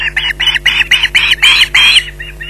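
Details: Osprey at the nest with a fish at Loch Garten, screeching in a fast run of harsh, shrill notes, about nine bursts that grow louder and longer before two softer ones close the series.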